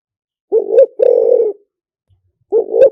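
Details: Close, loud spotted dove coo in lìw tan decoy style: a swelling short note and a long buzzy coo, then the next phrase starting two seconds later.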